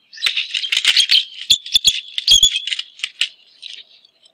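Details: Wild bald eagle pair at a DC nest in January during a courtship approach by the male toward the perched female. A rapid, thin, twittering chatter of shrill piping notes, fading toward the end, mixed with a few dry knocks.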